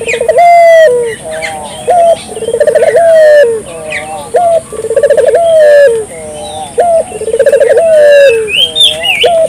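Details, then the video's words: Vigorously calling spotted dove, low cooing phrases of rapid pulsed notes running into a sustained falling coo, repeated steadily about every two seconds; occasional faint chirps from other birds. "suara burung puter gacor,merangsang burung puter lokal ikut gacor"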